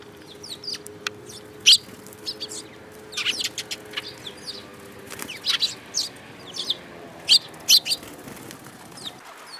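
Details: Several sparrows, 10 June 2018: many short sharp chirps and tweets scattered throughout, some overlapping, in irregular clusters, with a faint low steady hum underneath.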